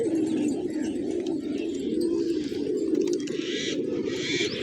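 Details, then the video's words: Morning village scene of feeding pigeons: a thick, unbroken murmur of low bubbling coos from the flock, with scattered faint higher sounds. "Cute Pigeons Eating, Playing & Making Funny Sounds"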